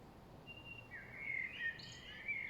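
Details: Late-afternoon spring singing of a common blackbird, called kos, loudest of the chirping birds: a thin high note, then mellow warbled whistles sliding up and down, ending with a brief squeaky flourish.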